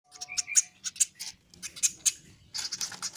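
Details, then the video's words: Woodpecker chick being hand-fed with soft feed, begging: thin, high, raspy chirps in short irregular bursts, some overlapping and closely spaced, with a faint low rumble underneath. "MELOLOH ANAKAN BURUNG PLATUK PAKAI VOR"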